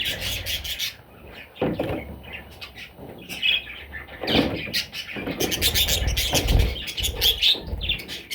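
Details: Budgerigar chicks giving bursts of harsh squawks and chirps, quieter at first and then louder, with low bumps and rustling between calls.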